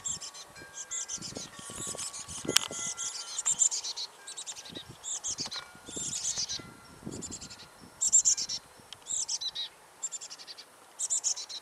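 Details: Chickadee nestlings beg noisily as their mother brings food, in bursts of high, hissy, buzzy chatter, several calls each second, rising and falling in loud waves with brief pauses between.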